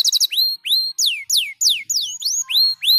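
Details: Canary delivering varied high whistles: a brief stuttered burst, then separate sweeping notes, some sliding down and some curving up, with short pauses between.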